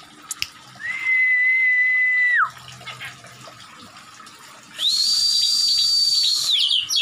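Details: Oriental magpie-robin, agitated and attacking with its tail spread, gives two long, steady, pure whistles: a lower note of about one and a half seconds, a pause, then a higher sustained whistle. Faint background hiss.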